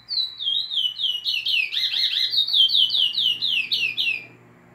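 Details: Chestnut-bellied seed finch, called curió nordestino, in full song: a steady run of loud, clear downslurred whistles, about four per second, briefly thickening into a rougher cluster midway, over a faint background hum.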